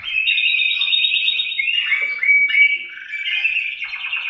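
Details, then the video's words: Male canaries singing together, one strong singer answered by other males, kept to stimulate breeding; continuous rolling trills and warbled phrases, high and bright, with short slides between sections and no pause. "تغريد فحول كناري الازعاج الذي يحتاجه طيورك لتحفيزها على الانتاج"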